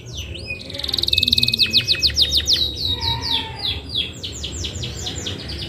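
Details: Canary singing: fast buzzy trills of repeated notes that speed up, then a run of bright descending whistled sweeps repeated several times a second, with a faint low hum underneath.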